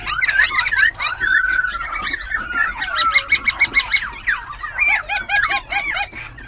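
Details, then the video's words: A captive White-cheeked laughingthrush, kept about a month and a half and said to sing all day while dancing its tail and wings, pours out a loud, varied song of tangled whistles, rapid clipped notes and repeated slurred phrases. "Khướu Bạc Má Bổi Lỡ Hót Múa Đuôi Cánh Đảo Giọng Liên Tục"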